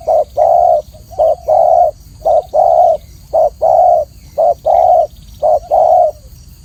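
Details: Spotted dove delivering a clear, regular sequence of low coos, each short note leading into a longer held one, repeated about once a second with steady faint hum behind.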